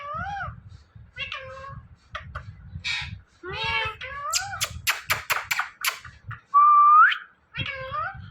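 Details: Indian ringneck parrot talking, mimicking words: nasal word-like syllables, then a burst of harsh, rapid squawks, a long clear upward-sweeping whistle, and a final nasal word.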